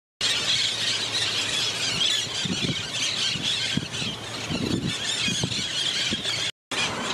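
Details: A flock of Green Parakeets in Harlingen on 11.9.23 keeps up a dense, continuous wash of shrill, screeching calls, with faint low rumbles of traffic beneath.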